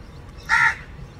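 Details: Loud single caw from a crow calling its partner: a rasping, nasal note of about a quarter second, with only faint low hum around it.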